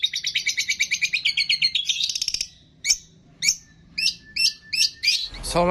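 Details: Long-tailed shrike training song filled with imitations of cililin, fighting sparrow, lovebird, tengkek and kapas tembak. Quick pulsing chatter that rises in pitch, then five or six separate sharp, downslurred chips spaced about half a second apart.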